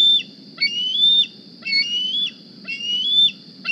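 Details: Bald eagle fledgling from the 2020 Decorah nest season calls on arriving at the nest one morning, begging for food. Piercing slurred whistles with a sharp upward flick, then a level tone, repeated roughly once a second over faint low hum.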